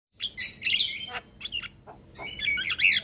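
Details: Male Javan myna calling to lure other mynas and starlings to answer: harsh broadband bursts mixed with clear whistled notes around the upper range, rising and falling phrases separated by short gaps.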